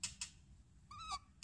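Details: A rescued female barn owl, moulting with a feather stuck, gives one brief, tonal twittering note lasting about a quarter second, with sharp clicks before and after it.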